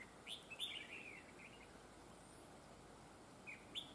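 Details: Trapping of a red-whiskered bulbul using a decoy, the bird described as having a very good voice with linked double phrases; a lively slurred whistled phrase opens, then hiss, then a short two-note phrase near the end.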